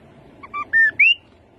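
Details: Rufous-capped babbler singing four clear whistled notes that step upward in pitch, the last two longest and loudest, over a quiet background.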